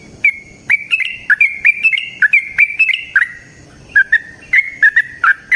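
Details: Yellow-vented bulbul singing actively in a long rapid 'ropel panjang' style, used as a lure to make other bulbuls sing: a quick series of sharp, bright chirping notes, about three per second, with a pause before the final cluster.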